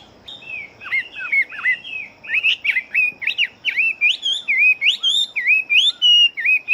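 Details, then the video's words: Chinese hwamei, a big-bodied fighting bird, singing very fast: a dense run of loud whistled notes, each sweeping up and down, tumbling over one another with hardly a pause for about seven seconds. "Họa Mi Chiến Siêu Mau Mỏ Bộ To Hót Tốt"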